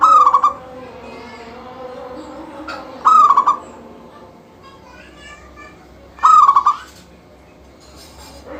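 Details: Local zebra dove singing continuously as a lure for other doves: bright cooing phrases with a rippling, pulsed ending recur roughly every three seconds, with faint softer calls and low background murmur in between.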